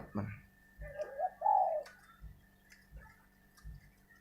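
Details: Spotted dove used as a decoy bird, delivering a short burst of soft low coos ending in one longer, stronger note, with background hum and a few dull knocks.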